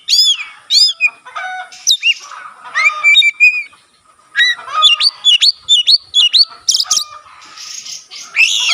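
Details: Kacer singing with its tail spread open, a song said to stimulate other magpie-robins to sing; varied whistled phrases, piercing upslurs and hissy scratchy notes in two bursts around a brief silence.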